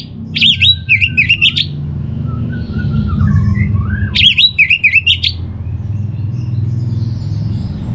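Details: Two matching phrases of orange-headed thrush song, each about a second of fast, looping whistled notes with buzzy edges, with a soft wavering whistle between them over low hum.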